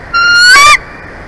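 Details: Bald eagle at a nest in Big Bear Valley, recorded on a live nature cam, 23 February 2024: a single high, thin call lasting about two-thirds of a second, with a steady harmonic tone breaking into a brief squeal at the end.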